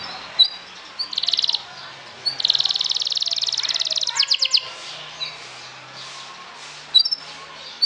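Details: Canary singing as a lure to provoke other canaries and relieve stress: bursts of fast, buzzy trills in clusters, a long rolling trill around the middle, then scattered sharp chirps and quieter notes.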